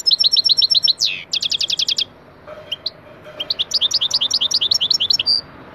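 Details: European goldfinch lesson song, taneli çipet with plenty of cibili: quick metallic twitter, a sweeping note, a rapid run of buzzy pulses, a pause with soft notes, then lively high twittering.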